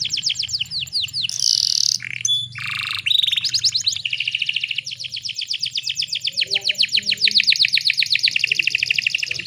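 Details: Female canary in breeding condition, used as a lure to prompt males to sing: a brief buzzy burst and harsh notes, then long, fast, even trills of high sweeping notes that speed up toward the end.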